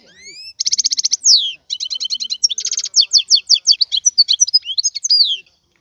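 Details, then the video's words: Wild European goldfinch singing a lively medley: rising whistles, a buzzy rattle, clipped repeated notes and twittering slurs, delivered in quick succession with brief gaps. "اسمع بأذنيك تغريد هذا الحسون البري. افضل غناء خلوي"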